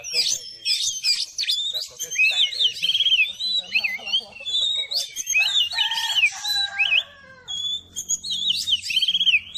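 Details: Oriental magpie-robin, or kacer, in a long varied song meant to quickly excite other birds. Loud rich whistles, rising and falling slurs and scratchy chips follow each other almost without pause for ten seconds.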